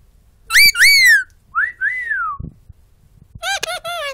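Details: Pet talking bird whistling and vocalising: two loud clear arched whistled notes, two softer falling whistles, a pause, then quick buzzy, nasal syllables like mimicked words, with a person softly repeating "good boy".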